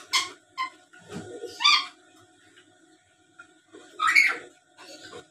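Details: Black-capped lory, a tame talking bird, chattering: harsh, buzzy squawks and a rising raspy note in irregular bursts with short pauses, quiet indoor background.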